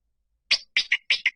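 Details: Rail lure sound: a short series of scratchy, sharp notes, some doubled, rising in pitch slightly at the start, with no other sounds.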